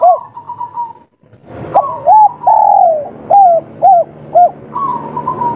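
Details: Local spotted dove singing its kuk 3 call to attract a female: a soft wavering lead-in, a pause, then rounded coos and a longer drawn note, repeated about twice a second, with faint background hum.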